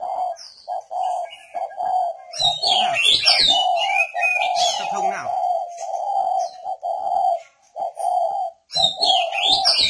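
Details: Caged northern Vietnam spotted dove used as a perch decoy, repeating steady, level coo notes almost without pause, while busy high chirping and twittering from other small birds runs over much of the recording.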